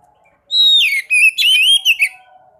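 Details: Sekoci, a swallow, singing in a clip meant to get caged birds going: a loud high whistle falls into fast twittering and a rising-falling warble, then two short chips, with silence before and after.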